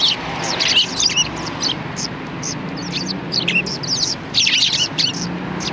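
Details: Greeting sparrows outside a cultural hall, 7 February 2020: bursts of high chirps with brief lulls between them, a faint low traffic rumble underneath.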